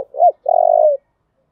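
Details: Close spotted dove fighting call: a single upward-then-down coo, a brief pause, then a long steady coo that slides lower at its end.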